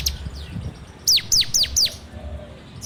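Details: Ciblek (bar-winged prinia) recorded on an Android phone as a training lure: four loud, steeply downslurred whistles in quick succession after a faint note, with low background noise.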